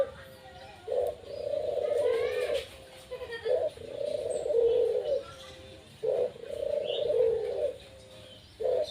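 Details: Caged Barbary dove cooing steadily: a short sharp note followed by a drawn-out, throbbing low coo, the phrase repeated about every three seconds.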